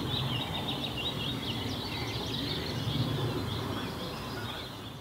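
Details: Sand martins at a busily visited nesting bank in Kattenbergsebroek, northern part of Landgoed de Baest; dense, overlapping dry twittering chatter runs throughout over a steady low rumble of background noise.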